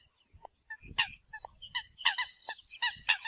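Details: Eurasian coot decoy call: overlapping short nasal honks and higher squeals in quick irregular bursts, over a low rumbling background noise.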